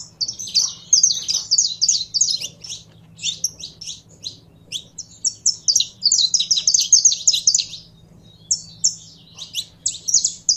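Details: Saffron finch warming up under its keeper's handling, pouring out rapid high twittering chirps in long bursts about three per second, with short pauses between phrases and a soft low hum beneath.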